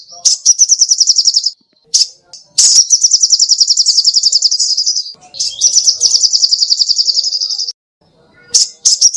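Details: Tutor song of an actively singing sogoh ontong songbird: quick high trills of repeated sharp notes in three long phrases, with clicks and short pauses between them.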